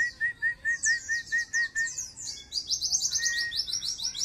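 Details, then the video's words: White-eye song, with tail spread: a fast run of thin, high twittering notes over a steady series of short whistled pips, about two per second, shifting into quicker chirps. "Pleci dakun buka ekor nembak wit wit santai"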